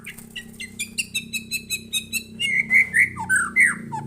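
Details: White-rumped shama singing in response to a lure recording: a steady series of short chirped notes about twice a second, then louder rich whistled phrases that rise and fall, over a low hum.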